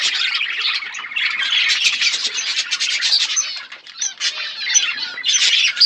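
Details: Outdoor aviary budgerigars feeding on seeds, dense high chatter of warbles and harsh squawks, dipping briefly near the middle then rising again.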